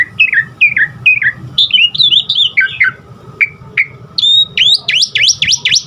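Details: Asian pied starling song, a recording used to coax caged starlings into lively singing, full of varied fill-in notes: clear whistled downslurred phrases repeated three times, then rising-falling whistles and a fast series of sharp upswept whistles.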